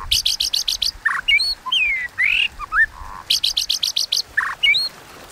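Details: White-rumped shama contest song in the 'kéo thuốc lào' style: bursts of rapid harsh clicking notes alternate with rich looping whistles and short buzzy chirps, the pattern repeated twice.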